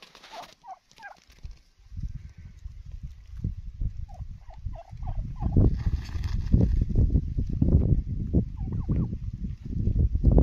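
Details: Wild turkey giving short, soft, downward-curving yelping notes in small bursts near the start and again mid-recording, over a heavy low rumble and thumping movement noise that grows louder toward the end.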